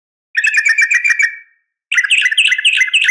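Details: A female yellow-vented bulbul's sharp fighting call to a male: a dense, buzzy chatter of quick notes lasting about a second, a brief silence, then another harsh, fast chattering burst.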